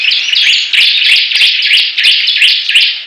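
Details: Bar-winged prinia birds singing against each other: loud, continuous whistled phrases, each a quick rising and falling note repeated about three times a second, mid to high pitched.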